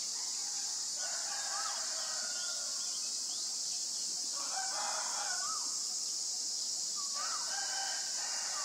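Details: White-vented myna recorded on 25 March 2022 in Ubon Ratchathani, Thailand: three bursts of harsh, harmonic notes with rising and falling twists, roughly every three seconds, over a loud, steady, high-pitched insect drone.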